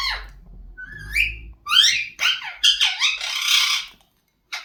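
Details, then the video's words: A talking Indian ringneck parakeet chatters in high, squeaky mimicked speech, rapid rising and falling syllables in short bursts, with a faint low hum behind. "Talking indian ringneck parrot"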